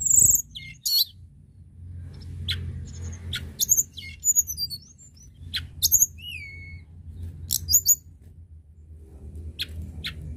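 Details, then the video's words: Crested lark in lively, nonstop song used to prompt other birds to sing: high thin whistles, short rising and falling notes and twittery phrases broken by sharp dry clicks, over a steady low hum. "Tledekan gunung gacor dorrrr"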